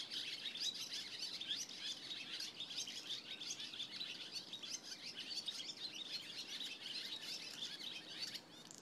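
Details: Barn swallows twittering together on a July 27 morning in a dense, continuous chorus of high, quick chirps and warbles, with no pauses and a faint background hiss.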